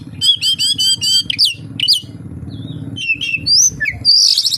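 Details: Oriental magpie-robin song full of kapas tembak imitation: fast stuttering burst of high notes, then scattered whistled upslurs and a final buzzy high trill, with a low background hum.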